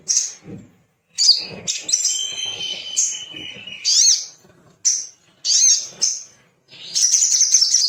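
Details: Little spiderhunter (Arachnothera longirostra) song: bursts of very high, sharp chittering notes with a thin sustained whistle, repeated in quick phrases separated by brief pauses; used as a lure to stimulate other birds to sing.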